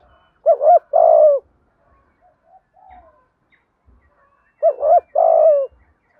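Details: Two low phrases from a spotted dove giving the thổ-style calling song meant to stir decoys into quick cooing. Each has a double hooked coo and a drawn-out, buzzy, falling coo, with faint soft notes between.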